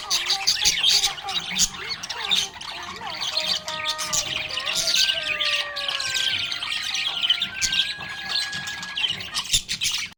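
Budgerigars chatter in a dense, fast stream of high chirps, squeaks and warbles, over sustained melodic tones from background music.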